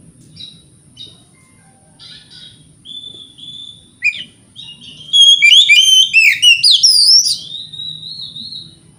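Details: Morning song of an Oriental magpie-robin, used to goad rival birds into answering: sparse short whistles give way to a loud rapid run of sweeping, rising and falling whistled notes, then a sustained wavering phrase.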